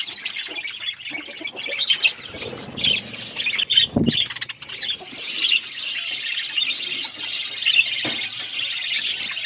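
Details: A budgerigar flock feeding in an aviary: steady overlapping chirps and warbles from many birds, a brief thump near four seconds, then a denser, even chatter to the end.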